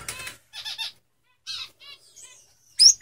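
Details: Male Lady Gouldian finches give brief high chirps in separate bursts, then a thin, drawn-out whistle, followed by a loud burst of fluttering wings at the end.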